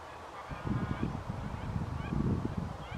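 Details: White-fronted geese at Wimpole Hall, Cambridgeshire, England, on 17 December 2020. Faint, high yelping calls from a flock sit above dense, pulsing low rumbles and buffeting.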